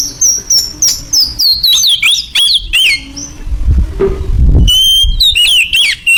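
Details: White-rumped shama singing loudly, a fast run of high whistles and chattering squawky notes, then a brief low rumbling noise before the high whistled phrases resume.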